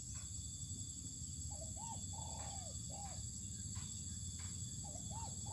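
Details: Spotted dove set outdoors in open ground to sun itself, giving soft hooting coos: short arched notes, then a longer drawn-out note, then more arched notes repeating, over steady high insect and cricket hum.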